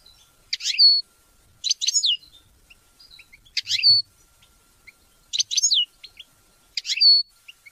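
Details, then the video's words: European goldfinch sounds used to teach and motivate hunting and mating: short, bright twittered phrases, each a quick cluster of chirps ending in a thin slurred whistle, repeated about every 1.3 seconds in near silence. "Goldfinch songs to teach and motivate hunting and mating"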